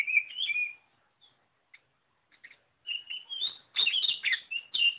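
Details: Oriental magpie-robin gacor song opening with a sweet slurred whistle, then near silence with a few soft ticks, before a burst of loud, rapid mixed whistles and chatters.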